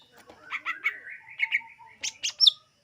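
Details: Song of the greater green leafbird for attracting birds: warbling chirps running into a thin sustained whistle, closed by three loud, high, sharp notes.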